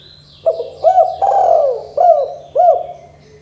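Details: Spotted dove in a 'kuk 2' calling style, played to make young doves start calling; low hollow coos with short hooked notes, one long drawn-out coo in the middle, roughly five phrases in quick succession.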